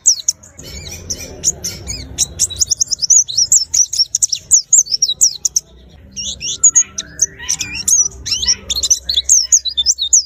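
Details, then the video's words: Kept white-eye pouring out long bursts of high, rapid twittering and sliding chirps, broken by a short gap, with a low hum and faint murmuring in the background. "Rawatan pleci agar rajin bunyi"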